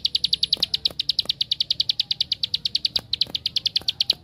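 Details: Bar-winged prinia giving its 'tembakan' song, played as a lure to draw other prinias into singing: an unbroken run of bright, evenly spaced high chip notes, with occasional low knocks in the background.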